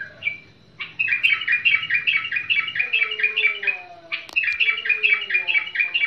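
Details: Trained bulbul giving a long run of rapid, evenly pulsed chirps, a steady stuttering trill that drops out briefly after a sharp click, then resumes. A faint gliding whine runs beneath it.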